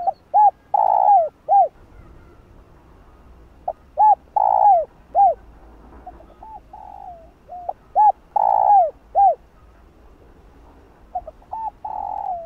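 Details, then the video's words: Spotted dove calls and coos meant to provoke other male doves. Repeated phrases of arched hooting notes and long downward-sliding coos come in bursts, with brief quieter gaps and a soft low hum beneath. "Cu Gáy Gáy GỌI + GÙ Giọng Hay Hạp Bổi Kích Bổi Say Máu"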